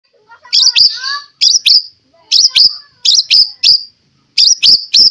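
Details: White-rumped shama, a caged fighter bird with a rich song repertoire, giving loud sharp chip notes in paired bursts that repeat every half second or so, with a few softer slurred whistles between them.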